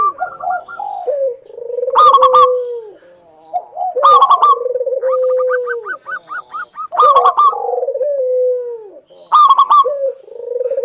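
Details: Local zebra dove singing as a lure for other doves: repeated cycles of sharp, ringing outbursts that dissolve into long, hollow descending coos, with a brief run of quick staccato notes in between.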